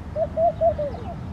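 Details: Laughing dove at Al Rahmanya, Sharjah, UAE, gives a quick bubbling run of four soft, mid-pitched coos, then two fainter falling notes, over a low background rumble.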